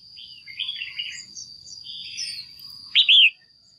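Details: Female red-whiskered bulbul kept in a cage, calling to rouse a male or find a mate; soft warbling, wavering notes lead into one loud, sharp two-part chirp near the end, with a constant high whine behind.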